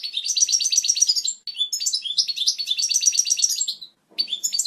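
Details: Goldfinch song offered as a tutor for chicks, described as pure and strong: fast bright trills and chattering phrases, pausing briefly after about a second and again near the end before resuming.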